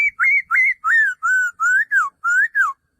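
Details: Male laughingthrush calling in a quick, steady string of eight clear whistled notes, some rising and some falling, repeated roughly every third of a second.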